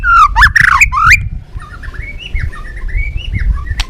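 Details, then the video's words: White-rumped shama, balak 6 song used as a lure for catching birds: loud swooping whistled notes in a quick opening burst, followed by fainter warbled phrases against low background rumble. "Suara Masteran Pikat Burung Murai Batu Balak 6 (Whiterumped Shama)"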